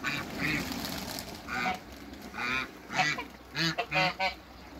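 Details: Hybrid Cayuga and Muscovy ducks meeting in a backyard give a run of harsh, nasal calls in short bursts. The bursts grow louder and come closer together toward the end.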